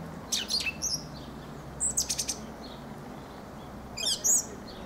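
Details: Fieldfare (Turdus pilaris) singing thin, high squeaky notes and brief rapid chatters in separate bursts, with quiet pauses between phrases.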